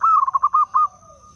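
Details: Zebra dove, a wild local bird from Blora, Indonesia, whose song serves as a lure for trapping and for prompting other zebra doves to sing: one quick phrase of rolling cooed notes, pulsing about six times, then fading, with a faint steady high whine.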